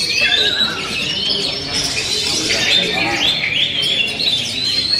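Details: Oriental magpie-robin song opening with a lower falling whistle, then running into busy, high, varied chirps, warbles and squeaky phrases delivered without a break.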